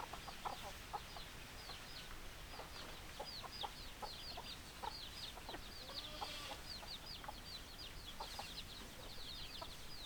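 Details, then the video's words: Chickens produce a dense chorus of high, falling peeps with frequent short, low clucks mixed in. A brief wavering call comes midway. "Chicken Sounds Noises Hens Clucking Roosters Crowing"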